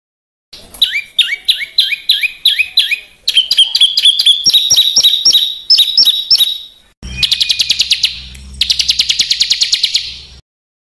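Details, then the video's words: Coarse 'besetan' phrases of a small bird used to master caged birds. Series of hooked, rising whistled notes, some rapid and some spaced, are followed by two bursts of fast, buzzy rattling trill. "Suara Masteran Burcil Besetan Kasar"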